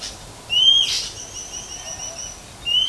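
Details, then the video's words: A wild female Oriental magpie-robin in nature gives two clear, high, slightly rising whistles about two seconds apart, with a sharp click between them, a call said to excite males into singing. "chòe than mái hót kích trống"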